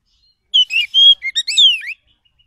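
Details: Oriental magpie-robin from the forest, sung as a lure to draw an agitated reply: one rapid phrase of bright whistles, a sustained level note, short chirps and a falling slurred whistle, on a silent background.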